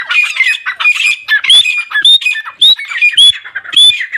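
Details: Captive grey francolins kept by a Pakistani bird keeper give harsh, squawking notes with sharp rising whistles about every half second, amid a busy mix of other bird calls.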